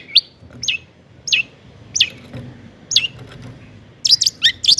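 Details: Long-tailed shrike song used to rouse other shrikes: five spaced, sharp downslurred whistles roughly every 0.6 seconds, ending in a burst of loud, harsh chattering notes.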